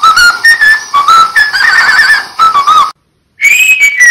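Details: A pet cockatiel whistles the Pink Panther theme in clear, pure notes that step up and down like a melody.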